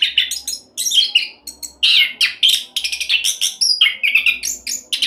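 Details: Orange-headed thrush in rapid 'roll' song style, used to coax other birds into song: dense, chattering phrases of high, buzzy and whistled notes, barely pausing, with a faint low hum underneath.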